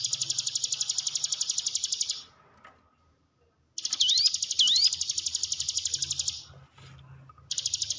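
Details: Hill prinia song used to stimulate cage birds to sing: rapid, even buzzy trills high in pitch in long bursts of about two seconds separated by pauses, with a few rising whistled notes over one burst.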